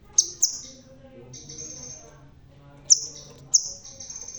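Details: Bald, red-tailed crimson sunbird still singing eagerly: two sharp high chips, a long thin sizzling trill, then another pair of piercing notes leading into a further fine trill.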